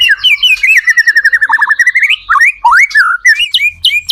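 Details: White-rumped shama in full song, used as a lure to make other shamas start singing in reply: a run of quick rolling whistled notes slides steadily upward, then breaks into louder looping whistles and sharp high chips.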